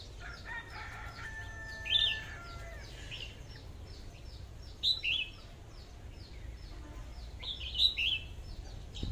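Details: Captive decoy red-whiskered bulbul, one of two, singing in the 'AK' style: loud whistled phrases of quick rising-falling notes, some paired, over constant faint chirping from other birds and a low hum.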